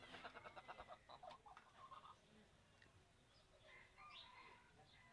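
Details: Rapid chicken clucking fades after two seconds into quieter, higher chirps and calls from other birds.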